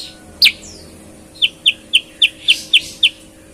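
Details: Sooty-headed bulbul singing actively with a clear voice said to resemble a green leafbird: one sharp chirp, then a run of seven crisp high notes about a quarter second apart, over a steady electrical hum.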